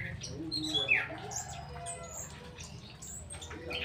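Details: Straw-headed bulbul singing in conditions meant to feel like the wild: a sharp downward-sliding whistle followed by bubbly, liquid warbled notes and short chirps over a constant low hum.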